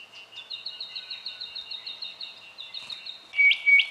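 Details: A run of high, thin, evenly repeated whistles from a spotted quail-thrush, Victoria, Australia, January 2012, ending in two louder, sharper notes against a quiet background.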